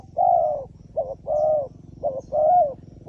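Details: A wild pigeon, noted as wary of a phone camera, coos steadily: long mellow notes alternating with short clipped ones, about five notes in three seconds over a low rumbling background.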